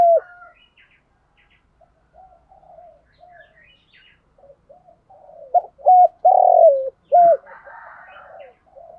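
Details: Spotted dove kept as a decoy to draw in wild doves: scattered quiet calls and chirps, then a clear burst of two short level coos, a long rolling descending coo and a final short coo.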